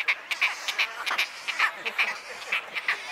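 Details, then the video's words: At Wakodahatchee Wetland, Florida, wood stork chicks beg with a rapid, overlapping chatter of harsh, nasal croaks, roughly two or three per second, in a noisy jumble. "Wood Stork chicks"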